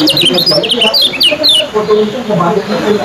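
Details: Competition yellow kecial (white-eye) in a bird-song contest, compared for chirping speed: rapid, sharp high chirps and quick rising-falling notes in a fast burst, over a steady murmur of people talking.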